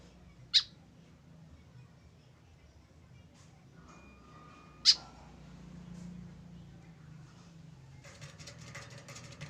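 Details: Lone tame white-breasted woodswallow without a companion utters two abrupt, piercing high notes roughly four seconds apart, with faint room hum and a burst of rustling noise at the end.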